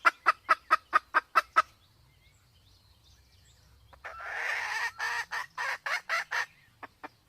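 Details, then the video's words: Male and female red junglefowl of Sumatra, the female in heat: a quick run of clear, regular clucks, a quiet gap with low rumble, then a burst of rougher, louder clucking notes. "suara ayam hutan Sumatra || jantan betina kombinasi betina birahi"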